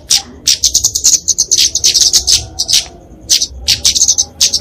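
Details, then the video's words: Flowerpecker, locally kemade, giving its fighting song for training and luring small birds: dense run of very high, sharp ticking notes strung into fast trills, broken by short gaps. "Kicauan Kemade Tarung Untuk Masteran&Pikatan Burung Kecil!"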